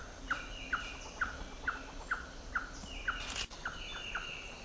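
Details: On Pipeline Road in Panama's Gamboa rainforest in March, a slaty-tailed trogon repeats a short, sharp note roughly twice per second, about ten notes in all, over faint insect hum and a brief knock.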